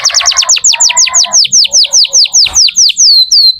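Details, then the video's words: Canary singing steadily, used to prompt young or silent canaries to sing: a fast series of high, downward-sweeping whistled notes, about five per second, opening with a buzzy lower trill and ending in longer drawn-out slurs. "Kenari gacor untuk pancingan kenari muda atau macet bunyi"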